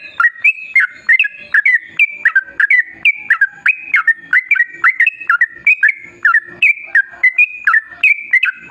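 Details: Yellow-vented bulbul in constant, long rapid song, used as a lure to make other bulbuls sing: a fast, continuous run of bubbling, dipping whistled notes, several per second, with no other clear sounds.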